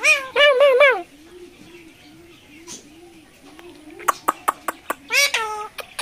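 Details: Caged talking parrot at Dhaka's Mirpur 1 bird market on a Friday in October 2023, talking like people: three quick nasal syllables, a pause with low hum, a burst of clicks, then another rising-falling harmonic call.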